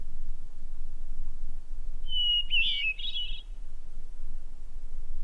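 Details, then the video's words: A hermit thrush recorded near Boulder, Colorado sings one short phrase: a clear held whistle, then a quick fluty, warbling tumble of higher notes, over a steady low hum. "We just heard a few notes from a hermit thrush that I recorded up here near where I live in Boulder, Colorado."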